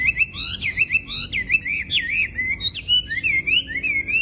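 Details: Chinese hwamei, a loud cage bird able to mimic other birds, singing a fast string of looping whistled phrases with a few sharp high notes mixed in.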